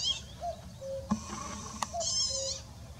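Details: A Common cuckoo at Sandwich Bay Reserve, Kent, UK, gives two low, soft, falling cuckoo notes, heard twice, over a brighter chirping bird and a couple of sharp clicks.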